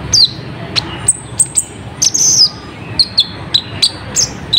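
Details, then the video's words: Sharp lure song of an olive-backed sunbird, locally kolibri ninja, played to make wild birds respond quickly: piercing high notes, some short descending slurs and buzzy trills, in bursts about half a second apart over faint low hum. "Suara Pedes Burung Kolibri Ninja ⁉️ Dalam Hitungan Menit Langsung Nyaut ⁉️"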